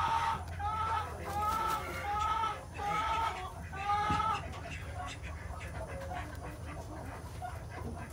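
An Araucana hen gives five short, nasal, two-note calls in quick succession, then falls quiet under a steady low hum and faint background noise.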